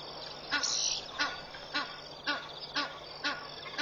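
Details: Egyptian goose parents at Pete's Pond, Mashatu Game Reserve, Botswana, early morning of 31 August 2013, give harsh rasping alarm honks about twice a second alongside alarming guineafowl as 20+ marabou storks approach their goslings, over a low hum.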